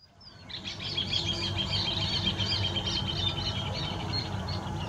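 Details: Rufous hornero calling: a fast, ringing series of sharp, bright notes, about four each second, beginning after a moment of quiet and running steadily for several seconds over a low background rumble.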